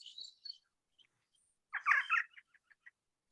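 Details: Elf Owl contact call at dusk in Portal, Arizona, in spring, with about three pairs around: a quick burst of squeaky, yelping chatter, then a few short spaced yips; thin, high chirps from another bird come first.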